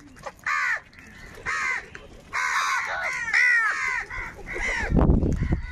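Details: Harsh rasping caws from crows fighting over food, single calls then a longer overlapping cluster, ending with a burst of low rumbling noise.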